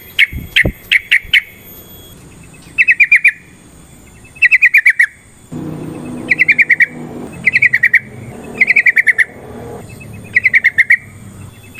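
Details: Lure song of the yellow-vented bulbul used to rouse a rival into fighting song: repeated bursts of four to six rapid, bright notes with pauses between, a low rumbling background entering midway.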